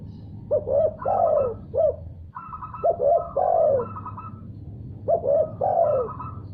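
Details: Spotted dove answering after hearing another call. It gives three phrases of two short coos and a longer, falling coo, about two seconds apart. A higher, nasal, stuttering note sounds between the phrases over a steady low hum.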